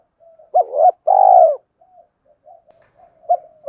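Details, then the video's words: Spotted dove cooing, kept as a decoy voice for luring wild doves: soft low notes, then a short coo and a long drawn-out coo, trailing quieter murmurs and a final short coo. "tiếng cu gáy giọng hợp bổi dùng đi gác chim rất nhanh về cội"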